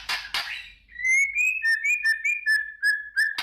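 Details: White-rumped shama singing in the morning, meant to provoke a fighting mood: two harsh, noisy bursts, then a clear run of about ten short, ringing whistled notes, slightly rising and falling, given in quick steady succession.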